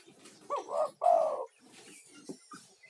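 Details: Spotted dove, a male calling to draw other doves in: a single hoarse coo phrase with a short rising opening note and a longer, throaty drawn-out note, then faint background rustles.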